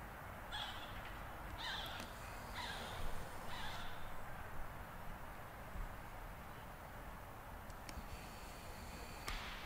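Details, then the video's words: An upset hawk, agitated after buzzards moved in, gives four harsh, rasping calls about a second apart, then goes quiet, over steady low wind rumble. "Hawk doesn't like Buzzards"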